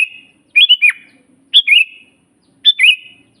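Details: Sooty-headed bulbul used as a singing master: three quick whistled phrases about a second apart, each a bright upward note followed by a lower drawn-out tail.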